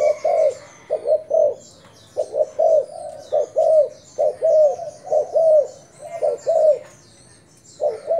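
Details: Thai decoy spotted dove calling: a long run of soft, rounded coos in paired short-long phrases, steady and rhythmic, with brief gaps between bursts and faint high-pitched chirps in the background.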